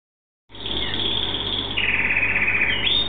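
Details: A pet canary sings a continuous high, rapid trill, dropping partway through into a lower rolling phrase, with a steady low hum underneath.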